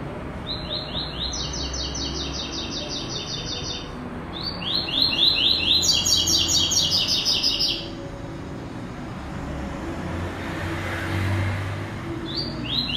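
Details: White-throated seedeater singing the classic tuí tuí zel zel with third note in two bouts: each opens with fast descending high notes and runs into a loud buzzy trill. A short soft hiss follows, then the song begins again.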